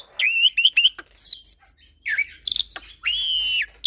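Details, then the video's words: Lively black-collared starling song with unique fill-ins, mixed with Nias myna and Nias × black-collared starling hybrid: short rising whistles, a few high chips, then a long buzzy, nasal note. "Masteran Jalak Suren dan Jalak Nias Dengan Kicauan Jalak Hybrid Nias X Suren Gacor Isian Unik"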